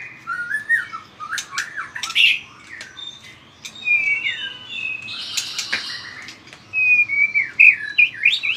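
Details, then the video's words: Fired-up white-rumped shama in combative song with vigorous tail flicking, giving scattered sharp clicks and slurred whistles, a buzzy burst midway, then ringing whistled phrases. "chòe lửa hót đập đuôi cực mạnh"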